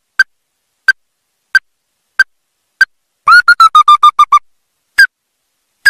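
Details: Ruddy-breasted crake, from a recording used to trap the bird: sharp single notes at a steady pace, broken by a rapid stuttering run of about eight harsh, slightly falling notes, then single notes resume.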